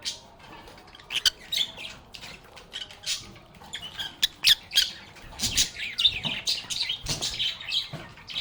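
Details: Lovebirds playing and calling; sharp, clipped high squawks and clicks come in irregular bursts, growing busier toward the end as several birds chatter at once.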